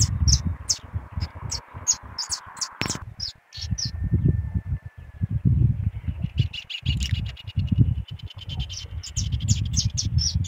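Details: Brown-plumaged saffron finch singing persistently. Bright, high chirps repeat in quick succession, with a sharp loud crack near the start. The later notes run faster and denser into a rapid twittering sequence, all over low rumbling background noise.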